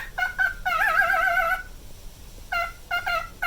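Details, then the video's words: Nine-year-old male pet cockatiel gives a few short whistles, then a sustained wavering vibrato note, a second of quiet, and more brief stacked notes. "オカメのビブラートに笑いが堪えきれなかった件［Cockatiel Vibrato］"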